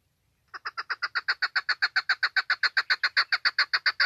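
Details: Female chukar calling, a recording used to lure birds when hunting: after half a second of silence, a steady series of harsh, clucking chuck notes starts, about four per second, growing louder and then holding even.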